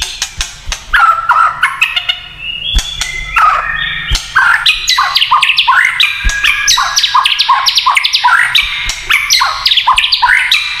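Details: Dense, energetic white-rumped shama song in the kretekan style, said to make other shamas emotional: a rapid jumble of chattering, squawky and whistled notes packed closely together with sharp clicks.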